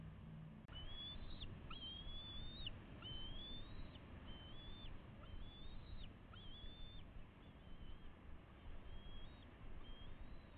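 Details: Bald eagle family at the nest on a live camera, May 29 2016, with two juveniles close to fledging. After a sharp click, a run of about nine high, thin, slightly rising whistles comes in quick succession over a rumbling background.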